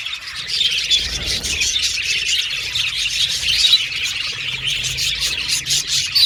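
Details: Pet Australian budgies whistle and chatter as a flock. High-pitched chirping runs thick and unbroken, with a soft low hum underneath.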